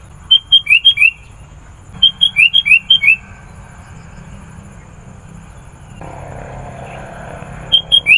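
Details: Sooty-headed bulbul in full song, played to call in wild bulbuls: short bursts of five or six sharp chirping notes, repeated after pauses of about a second to four seconds, with faint background hiss.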